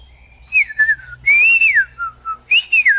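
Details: Leafbird song of bright whistled phrases, a rising then falling slur followed by short dipping notes and a quick closing flourish, sounding close with little background noise.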